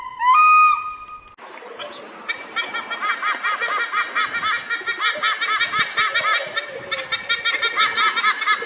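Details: Eagle calling: a brief steady whistled tone at the start, then a long run of rapid, evenly repeated chirping notes with a laughing, chattering quality, continuing in quick bursts to the end.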